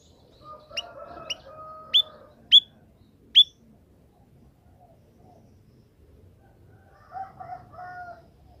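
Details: White-headed munia in the wild, heard during training to sing like a canary: five sharp, thin, high chirps about half a second apart, alongside low steady tonal hums, then a soft warbled murmur near the end.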